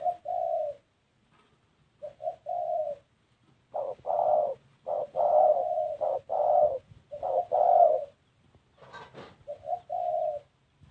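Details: Spotted dove cooing in an unusual style: low hollow coos grouped into uneven phrases with short silent gaps, a brief sharp clicking burst near the end.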